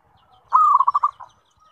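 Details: Single cooing phrase of a zebra dove (perkutut) singing to prompt other zebra doves to reply: a steady mid-pitched hoot sliding into five or six rapid bubbling pulses, then a faint trailing note.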